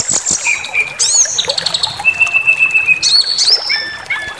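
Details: Aggression-baiting white-rumped shama song: a long level pure whistle held for about a second amid sharp rising notes, high chips and quick varied phrases, delivered at a brisk pace.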